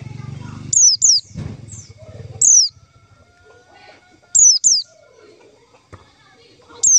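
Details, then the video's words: White-eye calls played as a lure for trapping: sharp, high downslurred notes in doubles and singles at uneven intervals, with low rumbling noise at the start. "suara panggilan pleci untuk pancingan pleci"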